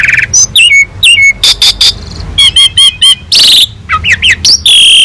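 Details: Asian pied starling singing a full fill-in master song for training birds: whistles ending in steady notes, bursts of harsh chatter, a string of repeated swooping chirps, a loud harsh squeal and zigzag whistles.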